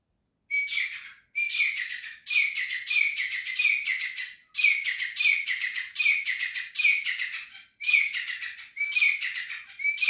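A grey francolin gives loud, harsh, shrill phrases about once a second, each opening with a rising note, in a steady run with no other sounds.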